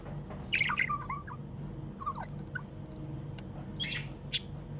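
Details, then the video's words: Happy pet budgie chirping: a quick cluster of twittering warbles early on, then sparse soft chirps and a sharp click, over a constant low background hum. "Happy budgie chirping sounds"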